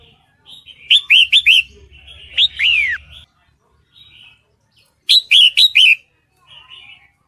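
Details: Breeding female red-whiskered bulbul calling to a male, giving two bursts of quick, sharp chirps separated by a drawn-out, down-curving whistled note, with soft faint notes between.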